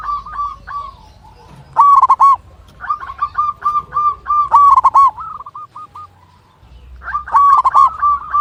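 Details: Local zebra dove with a big, long-breathed voice singing to call a rival: loud runs of short rolling coos, some stretches of quick repeated notes, separated by quieter pauses.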